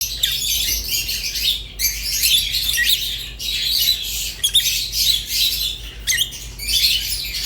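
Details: Pet rosy-faced and Fischer's lovebirds chatter in dense, shrill, squeaky twittering, high and scratchy, in bursts with short gaps near 1.7, 3.3 and 6 seconds; a faint low hum sits underneath.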